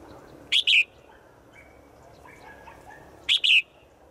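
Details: Calling to a male in the forest, a female bird gives a sharp two-note chirp, repeated once after a pause of almost three seconds, with faint distant calls and steady background noise between.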